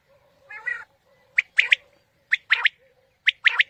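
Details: Quail (batair) calls used to lure birds for morning hunting: a nasal, buzzy burst, then three phrases, each a sharp note followed by a quick double note, about one phrase per second, with a faint low hum underneath.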